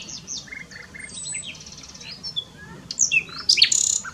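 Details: Common nightingale singing at Dohr in the Eifel, Germany: scattered high whistles and short chirps, then louder sharp rising notes and a quick rattling burst near the end, with a steady low background hum.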